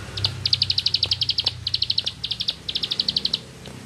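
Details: Rice-field bar-winged prinia giving its 'nembak ngebren' song, four quick runs of sharp, high repeated notes, about four per second, with a brief gap between runs and a low rumble underneath.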